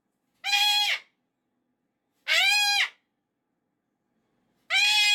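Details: Three grating, broadband screams from a pet cockatoo, each lasting under a second and separated by roughly two-second pauses, during a Monday morning tantrum about the weekend being over.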